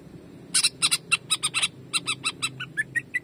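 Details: Greater green leafbird in jamtrok style, a training recording: harsh, rasping bursts fired in quick succession, gradually turning into thinner whistled notes toward the end.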